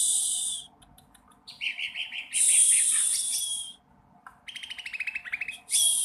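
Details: Sooty-headed bulbul practising its song with hissing, very high bursts alternating with runs of quick buzzy notes and a short descending whistled series, with brief gaps between phrases.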